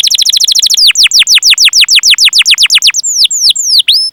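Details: Canary singing a lure song meant to prompt other canaries: a fast burst of high downslurred chirps, then slower, evenly spaced descending whistles and a few separate upswept notes at the close.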